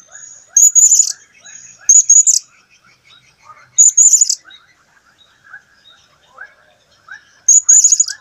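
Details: ['Blue-crowned hanging parrot from a 2015 recording, giving four bursts of piercing, high, thin squeaks at irregular one- to three-second gaps. Softer, lower chirps of other birds twitter throughout.']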